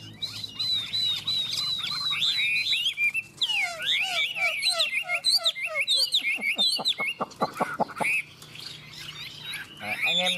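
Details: Two Chinese hwameis in a singing duel: clear repeated whistled phrases, then a tumbling burst of mixed notes, a series of sharp staccato clicks, and renewed looping whistles toward the end.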